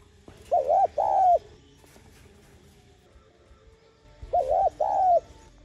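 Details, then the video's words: Spotted dove cooing in a 'calling and urging' style, meant to stimulate and train decoy birds; two short phrases of two low hollow coos each, about four seconds apart, over faint background hiss. "Tiếng cu gáy [ Gọi + Thúc ] KÈM BỔI Kích Bổi Nhanh Nổi/Cu Đất Gáy Giọng Hạp Bổi Kích Mồi Tập Bổi"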